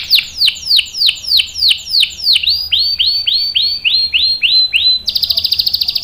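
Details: Canary singing a long rolling 'ngerol' song, used as a lure and tutor for young birds: a series of high downslurred notes about four per second, then shorter notes, ending in a fast buzzy trill.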